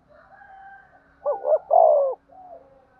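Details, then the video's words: Spotted dove cooing to provoke fighting and calling: a single low, hoarse three-part coo phrase, two quick pulses followed by a longer drawn-out falling note, with fainter cooing from another dove before and after. "cu gay kich boi nhanh noi gù/ cu gáy thúc đấu & gáy gọi"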